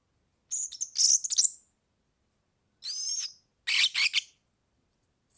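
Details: European serin song recorded for tutoring young birds: three short bursts of very high, thin, jingling twitters with fast buzzy trills and a few clearer whistled strands, separated by brief silences.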